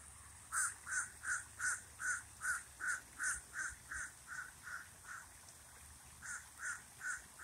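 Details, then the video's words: Common raven by a lake repeating a long, steady series of clipped hoarse notes, roughly three each second for over seven seconds, with a short gap before the final few. "Raven says never more"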